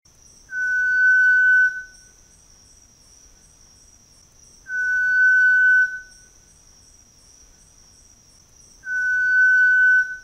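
Variegated Tinamou giving a long, pure, level whistle, about a second long, three times at roughly four-second intervals, over a steady high insect drone.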